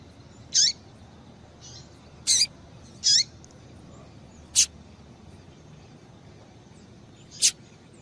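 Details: Female double-collared seedeater calls, used to stimulate male song: high clipped chirps, three bunched in the first half, two single notes later, plus faint soft notes, against quiet steady noise.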